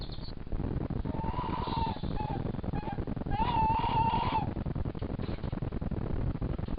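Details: Tawny owl (Strix aluco) gives two wavering, quavering hoots over low rumbling; courtship, a wild male, which has been flirting with a captive female, visiting at night from fencing just outside her aviary at a falconry centre during lockdown.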